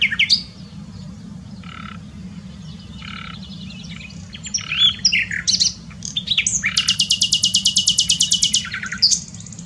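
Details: Common nightingale (Luscinia megarhynchos) singing at Dohr, Eifel, Germany: varied phrases of whistles, harsh chacks and a fast rattling trill of rapid repeated notes, over a steady low hum.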